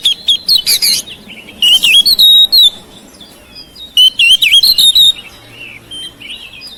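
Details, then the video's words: Home-kept oriental magpie-robin singing to prompt silent birds: clear, sweet whistled phrases mixed with rapid chirp bursts, coming in two main groups with softer whistles between them. "KICAUAN KACER RUMAHAN MEMANCING SUARA KACER YANG BISU MACET"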